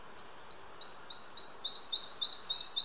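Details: Singing male red-breasted flycatcher at Hunneberg Nature Reserve, Västergötland, Sweden, 5 June 2015, recorded with an Olympus OM-D E-M5 II: a rapid run of high paired notes, about five per second, growing louder toward the end.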